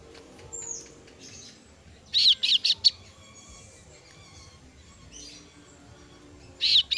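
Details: Kasu-kasu chick, a female, calling for its parent with a quick run of four shrill high-pitched notes, a long quiet stretch with faint twittering, then one more loud shrill note at the end.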